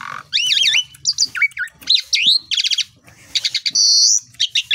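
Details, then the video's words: Morning song of an Asian pied starling, used as a lure to make other birds sing: looping whistled phrases, rapid clicking trills and a sustained high whistle, delivered in dense, energetic bursts. "PANCINGAN JALAK SUREN, PAGI HARI PENAMBAH GACOR"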